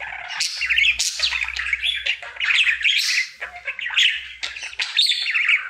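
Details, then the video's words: Male budgerigar kept at home singing happily as part of his daily routine, a harsh, squawky chatter of rapid chirps and buzzy zips, nearly continuous with brief dips, low hum in the background. "Budgie singing for 1 Hour Happy song!"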